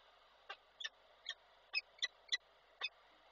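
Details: At the nest in Koszalin, Poland, on 17 February 2023, a peregrine falcon utters 'ciokanie' chattering: seven clipped, harsh notes at uneven intervals, some close together, against constant background hiss.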